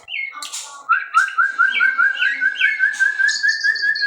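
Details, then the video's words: Captive-bred white-rumped shama delivering rich whistles that settle into a fast series of repeated rising notes, about two per second, with a brief harsh buzz near the start. "muray batu suara mantap"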